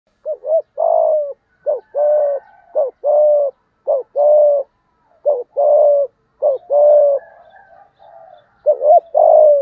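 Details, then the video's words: Spotted dove cooing in the 'giọng thổ' voice style to provoke wild rival males: a quick doubled note followed by a longer, steady low coo, the pair repeated about seven times in rapid succession with short gaps. "Tiếng cu gáy giọng thổ thúc gù kích bổi hiệu quả"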